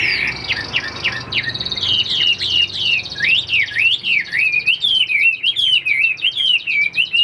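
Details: Caged Chinese hwamei, about 85% tame and not yet in full condition, singing loud whistled phrases: short repeated notes, then a flowing run of rising and falling slurred whistles in a rapid, uneven series.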